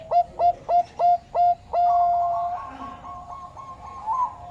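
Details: Zebra dove of the Bangkok type singing: five short, hooked coos about a quarter second apart, then one long sustained cooing note that carries on with a faint wavering tail.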